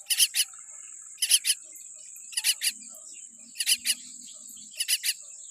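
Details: Weak-beaked baby common myna calling in harsh, broadband rasps grouped in twos and threes, spaced about a second apart, against a continuous high hiss-like tone.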